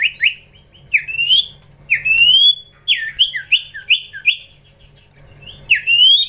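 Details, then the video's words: Common iora juvenile during training utters a lively series of rising, slurred whistles and short chirps, some paired, spaced irregularly at roughly half-second gaps. "Gacorrr ngelatih cipow cipoh anakan"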